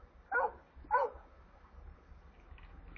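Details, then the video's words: Nest of stork chicks in Kaluga Oblast, Russia, filmed by a camera on 28 July 2022 as water is delivered to them; two short harsh yelps half a second apart, then quiet with faint hum. "Доставка воды аистятам"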